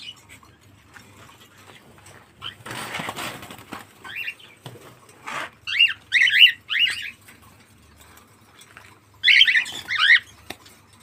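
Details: Cockatiel calling in short, sharp repeated chirps, grouped in runs of three or four notes about every half second, after a stretch of rustling and flapping noise.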